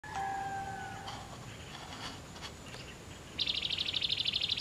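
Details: Mangrove Vireo in savanna near Chetumal sings a fast, harsh, buzzy chatter of rapidly repeated notes, preceded by a steady, even-pitched whistle.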